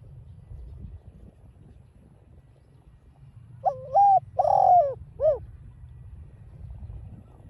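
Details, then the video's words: Spotted dove in 'đồng pha' voice, a provoking (kích bổi) call. One mellow three-part phrase mid-clip: a clipped opening coo, a drawn-out warbling coo, and a short dropping end note over a faint low rumble. "chim cu GÁY GỌI kích bổi hiệu quả giọng đồng pha"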